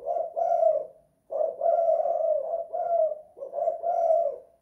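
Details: House-kept spotted dove (tekukur) delivering 'kuk 2 / guk 1' coos: a soft throaty note, a short pause, then a chain of three hoarse, even coos.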